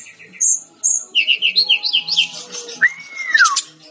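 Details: Actively singing brown-chested jungle flycatcher, recorded as a training track for cage birds: high piping notes lead into a quick chain of twittering whistles, then one long, smoothly rising-and-falling whistle.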